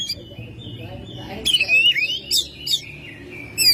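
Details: Home-kept Oriental magpie-robin singing energetically in May: a faint thin whistle gives way to loud, rich whistled phrases with sliding and dipping notes, then sharp bright bursts near the end.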